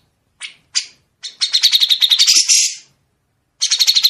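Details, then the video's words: Grey-cheeked bulbul song with long, sharp, clear trills: a few sharp introductory chips, then a fast, rattling run of bright notes, pausing before another quick burst. "suara burung CUCAK JENGGOT dengan besetan panjang"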